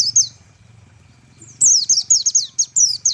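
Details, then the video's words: Tembakan song of a Japanese white-eye: a brief high whistle at the start, a pause with low hum, then from mid-clip a fast series of piercing, downslurred whistled notes in quick succession. "tembakan burung pleci"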